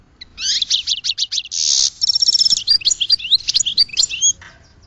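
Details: A goldfinch delivers quick chirping notes, a brief harsh buzz, then a high thin trill leading into a lively run of varied, bouncy twitters.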